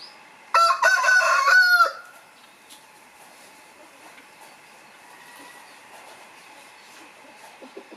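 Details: Rooster, a domestic village chicken, gives one loud harsh crow of about one and a half seconds, strained and harmonic-rich, then falls silent, leaving a quiet background with faint distant sounds.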